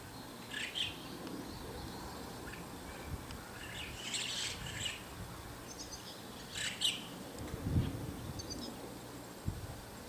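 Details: White-cheeked starlings give harsh, squeaky chattering bursts every couple of seconds, with a few thin whistled notes, over a steady low rumble of background noise.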